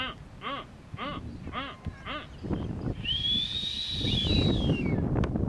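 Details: Blue-footed booby on North Seymour Island, Galapagos, in April 2014: five harmonic, arched honking notes about every half second, followed by a long, high, drawn-out whistle, all over steady wind noise and murmuring voices.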